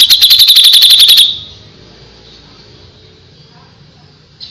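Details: Tutor recording of a grey-cheeked bulbul singing a lot: one fast run of bright, clipped high notes repeated steadily for just over a second, then near silence with a faint low background hum.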